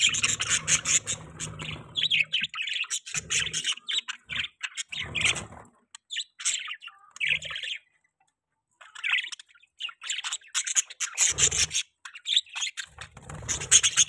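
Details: Pet baby budgies keep up a long stretch of busy warbling chatter, rasping chirps tumbling together, broken by one clear pause of about a second before the chatter resumes.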